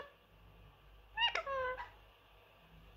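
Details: Indoor pet Indian ringneck parrot, a three-year-old male that says many phrases, giving a single two-part talking burst of stacked harmonic syllables that glide downward, then a quiet room hum.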